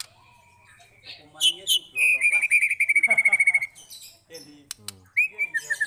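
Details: White-rumped shama long song used to provoke other shamas to sing; sharp clicks and whistles lead into a long, dense trill of rapid repeated notes, followed by brief rising whistles.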